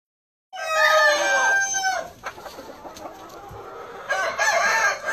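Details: Black Ameraucana chicken giving a loud, harmonic crow of about one and a half seconds that tails off downward, followed by scattered soft clucks and scratchy noises, then a second rough burst of calling near the end.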